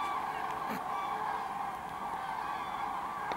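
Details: Common cranes at Kvismaren, among 24,000 present, coming in to roost in the wetland; a packed chorus of trumpeting calls, broken by a few brief knocks and clicks from camera shaking.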